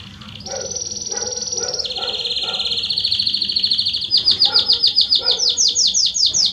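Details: Belgian canary singing a song used to warm up other canaries: a long steady high whistled note, then a lower sustained buzzy roll, followed by rapid loud repeated trilled phrases that grow stronger, with faint low background hum.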